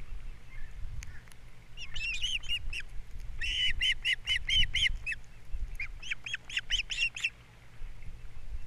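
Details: Osprey pair on a Captiva nest, 3 April 2022, as fish arrives for breakfast and the chicks are fed. Irregular high, whistled chirps build into a dense rapid run, then a shorter chattering series after a brief break.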